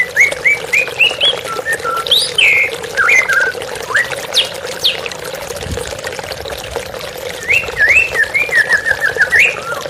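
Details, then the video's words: White-rumped shama, therapy recording: a varied run of whistled, slurred notes, some rising and some falling, delivered in quick phrases over a steady background of pouring, trickling water. "TERAPI MURAI BATU Stres Macet Langsung pulih _ Terapi Murai Dengan Suara Air Mengalir"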